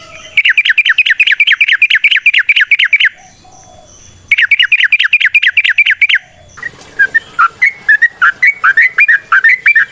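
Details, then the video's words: Rapid chirping song of a wild yellow-vented bulbul, used as a lure: two long runs of quick downslurred notes broken by a short pause, then looser, varied bubbly phrases. "Trucukan GACOR ngalas ROPEL PANJANG suara alam AMPUH buat pancingan"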